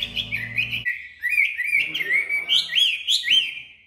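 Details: Caged golden Chinese hwamei, known locally as mi vàng, praised for its fine voice, singing rich, slurred whistled phrases that rise and fall in quick bouncing loops, after a brief low hum at the start.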